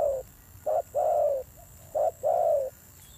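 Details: Spotted dove, recently taken from the wild and noted for its fierce voice, gives a tail-end coo and then two pairs of clipped hoots, each followed by a long, slightly falling coo.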